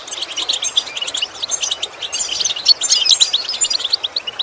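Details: European goldfinch song for teaching goldfinches to imitate sounds: a continuous, fast, liquid twittering of high chirps and trills that grows busier and louder after the midpoint.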